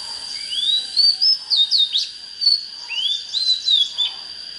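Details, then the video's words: Two similar phrases of Oriental magpie-robin song, each a slurred rising whistle breaking into fast choppy notes, about two seconds apart, with a constant thin high tone behind. "Chích chòe than HÓT HAY"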